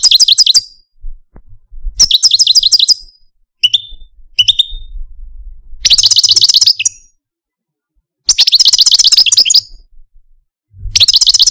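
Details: Caged Algerian parva European goldfinch, a male kept as a pet, singing in separate bursts of fast tinkling, buzzy trills about two seconds apart, broken by two short whistled notes and pauses of silence.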